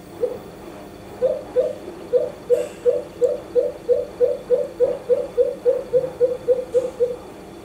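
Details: Male pheasant coucal perched in the morning around 8 am in Townsville, Australia, recorded between February and late March: one deep hoot, a pause, then a run of about seventeen hollow low hoots that quicken steadily, with faint hum behind.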